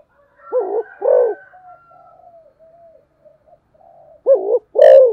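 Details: Spotted dove in energetic fast thúc gù cooing. A pair of deep coos opens, then comes a stretch of faint whistles from other birds, and another loud coo pair closes.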